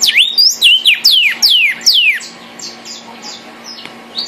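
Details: Vermilion cardinal, red, gives a fast series of loud whistles, each sweeping steeply down in pitch, roughly two per second, fading into softer short high notes; faint steady hum in the background.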